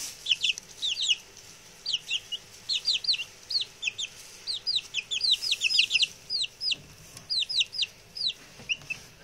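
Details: Six male chicks, freshly settled in and chatty, utter crisp high falling peeps in pairs and triplets, packed tightly through the middle and tapering off, over quiet background.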